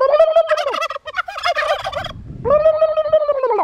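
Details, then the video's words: Suffolk turkey calling loudly: a long, steady, nasal tone, then a burst of rapid rattling gobble notes, and another sustained tone that fades away at the end. "Talking 2 Suffolk Turkey"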